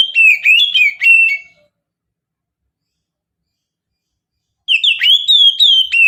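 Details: Oriental magpie-robin lure recording in mountain style: a brief flurry of warbled whistles ends, a three-second silence follows, then a longer sequence of clear, swooping whistles with crisp rapid flourishes.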